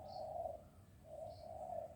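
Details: In the morning, a zebra dove gives soft, low, rolling coos in two phrases about a second apart, with faint high chirps of another bird above.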